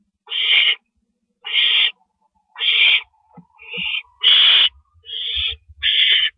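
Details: Owl at the nest around 1:11 AM on April 6, 2012, as the male delivers a rabbit. Harsh, hissing screeches come roughly every second, seven bursts in all, with a few faint low thumps between them.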